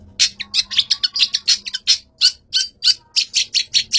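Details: Long-tailed shrike, called a fighter and used as a master bird, gives a steady stream of harsh, scratchy chirps, about four each second, with a few thinner notes mixed in.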